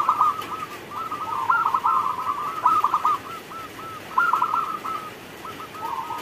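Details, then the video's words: Local zebra dove singing hard in the rain, delivering a long chain of quick staccato coos that dissolve into soft, repeated purring notes before another sharp burst; steady hiss underneath. "Perkutut lokal gacor Saat Turun Hujan"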